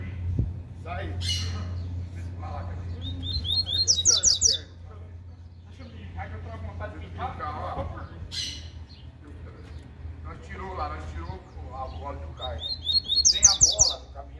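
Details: Double-collared seedeater from a breeding facility singing the cicopata and serena song styles: short bursts of fast, buzzy, high trilled notes, with long gaps filled by people talking and a low steady hum.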